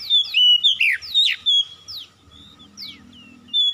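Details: Oriental magpie-robin lure song meant to get a silent bird singing: bright, sweet whistles and steep downslurred notes in a burst, then sparse quieter phrases, with a faint steady low hum underneath.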